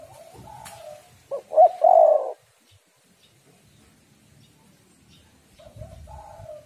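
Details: Female spotted dove cooing to attract and stimulate males: a soft note, then a clear phrase of a short stutter and a long rolling coo. A fainter coo returns near the end.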